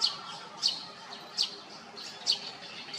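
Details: In Hyochang Park, a great spotted woodpecker, an adult raising young with a fledgling, gives short piercing kik notes, five in three seconds at uneven spacing, with faint background hum.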